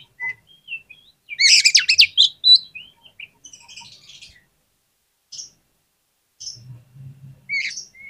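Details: Oriental magpie-robin lure song played to provoke lazy kacer into responding: a burst of harsh, rapid scratchy notes, then scattered thin whistles and short chirps with gaps between them.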